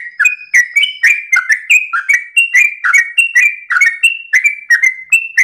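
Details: Dawn ropel song of a trucukan (Yellow-vented bulbul): an unbroken, fast stream of chirpy whistled notes, each one dipping and rising, about three per second.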